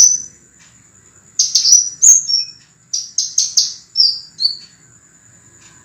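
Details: Scarlet minivet song used for training cage birds: a series of crisp high whistles and short slurred notes, partly rapid and repeated, after a quiet opening; a faint continuous high tone is audible.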